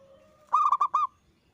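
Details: Local zebra dove in loud, frequent song, used as a lure to make other doves answer. A single quick burst of four or five rolling, mellow cooing notes follows a faint steady tone.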